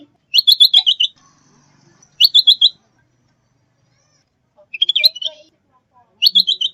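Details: Lure calls of a sooty-headed bulbul for trapping and training: fast rattling strings of six or so sharp high notes, given in four bursts with pauses of one to two seconds, background silent.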